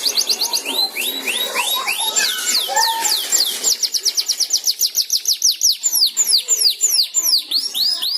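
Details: Learning canary working at 'ngeriwik' song, stirred by a second canary: quick jumbled whistles give way to a long run of fast, steeply rising repeated chirps, about three per second, high and bright throughout.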